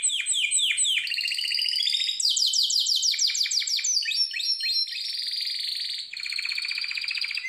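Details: A Harz Roller canary (Serinus canaria) sings tutor song for training canaries: a continuous run of rapid rolling trills and quick falling sweeps, high and bright, changing tours every second or two.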